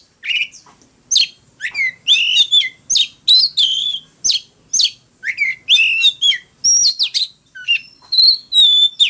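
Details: Oriental magpie-robin fighting song from a caged bird: quick bursts of crisp chirps and descending whistles, then a few sustained pure whistled notes near the end, steady and close.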